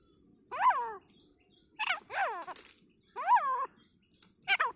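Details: Grey francolin calling during a fight in forest: loud, harsh, descending notes with rich harmonics come in irregular bursts, some doubled, separated by short pauses.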